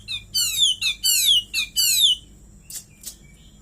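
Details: Caged White-rumped shama (kacer) singing a cililin-style fill: four loud, evenly spaced bursts of descending, buzzy harmonic notes, each about half a second, followed by two faint clicks.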